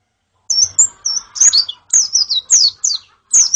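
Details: Female and colony white-eyes as song therapy for a male: a steady series of high, thin, sliding chirps roughly every third of a second, some flat and some falling in pitch.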